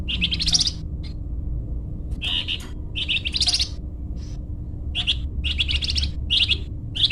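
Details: Golden-bellied gerygone (flamboyan) for luring or training caged birds: a string of short, buzzy, high chattering bursts, some rising, separated by brief gaps over a low background hum.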